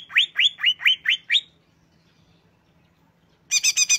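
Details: Greater green leafbird giving six loud, upswept whistled notes in quick succession, then two seconds of quiet, then a short burst of rapid, buzzy chirps.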